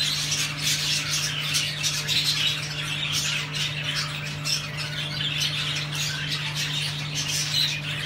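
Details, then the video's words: Rainbow budgerigars, excited males and females, chattering in a mating chorus. The dense, continuous, squawky warbling mixes with scratchy chirps and brief sharp notes, and a steady low electrical hum runs underneath throughout. "تزاوج طيور البادجي الرينبو،صوت تزاوج عصفور الحب"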